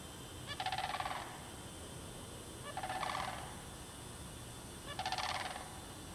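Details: Three loud trilled, rattling calls from sandhill cranes in a park bog in March 2009, where the cranes were mating. The calls come about two seconds apart and each lasts well under a second.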